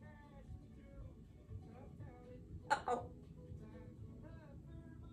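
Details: A female Congo African grey parrot, a talkative household pet, speaks soft speech-like phrases broken midway by one sharp, loud squawk, over a low room hum.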